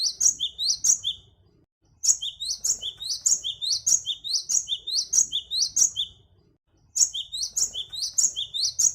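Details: Great tit calls recorded as a lure for wild birds: bursts of sharp, high chirped notes dropping in pitch, repeated rapidly in rows, broken by short pauses, over faint low background rumble.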